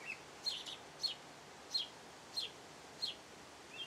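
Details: House sparrow singing, giving single sharp, high chirps roughly every half second to second, each a brief descending tweet, against a faint steady background hiss.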